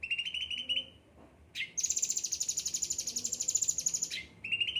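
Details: Well-tended kept cucak ranting singing: a short rapid trill, a brief pause, then a long shrill buzzy trill held at high pitch for over two seconds, ending in another quick mid-pitched trill.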